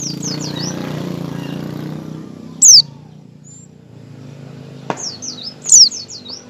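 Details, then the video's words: Oriental white-eye in 'ngecal' and learning 'ngalas' style, used as a lure to make other white-eyes open their beaks: short series of high, down-slurred whistled notes, a sharp loud chip between, low background hum. "pleci ngecal dan belajar ngalas cocok buat pancingan pleci agar buka paruh"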